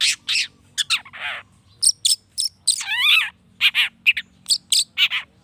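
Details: Long-tailed shrike song used to provoke other shrikes into answering: rapid bursts of harsh, scratchy notes mixed with downward-sliding harmonic whistles and short chirps, separated by brief pauses, over a faint low hum.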